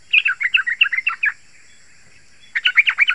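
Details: Song of a yellow-vented bulbul, played to lure wild birds in forest or garden and set kept bulbuls singing: a fast chain of liquid, chattering whistled notes, a gap of about a second, then another quick burst, over a thin high background tone.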